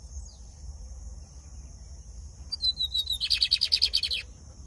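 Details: Captive lined seedeater from Brazil singing a short descending string of thin notes that breaks into rapid, evenly repeated buzzy trill notes, against a constant high hum and low background noise.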